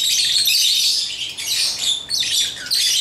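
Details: Piercing, overlapping chirps and squawks from African lovebirds playing with toys fill a few seconds of nonstop, busy chatter.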